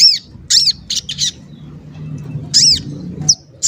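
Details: Sogon calling, used as a lure to make other sogon sing and get agitated. A few arched, high chirps and harsher squawk-like notes come separated by quiet gaps.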